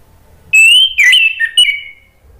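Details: Orange-headed thrush singing to provoke a stalled bird into replying: one loud, sustained high whistle that wavers and breaks into a short warble, then trails off into a falling whistle before silence.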